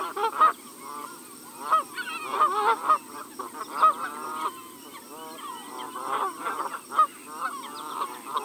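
Canada geese honk in loud, nasal bursts, several birds overlapping in an uneven, clamorous chorus, with a few honks every second or so.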